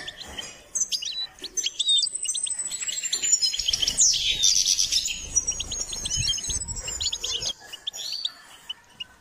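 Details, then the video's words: Goldfinch in song during training, a continuous fast twittering with a long, thin, high trill running through the middle, plus scattered chips. A faint low rumble sits under the central part. "Step by step enhancing the goldfinch’s singing"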